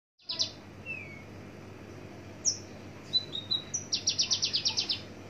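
A Javan bush lark sings a varied, high phrase of thin whistles and slurred notes ending in a fast run of about eight sharp chips, over a low background rumble.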